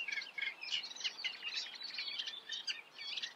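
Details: Eurasian reed warbler singing: a steady, chattering run of short, harsh, repeated notes, some scratchy and some clearer, with no pauses and faint background hiss.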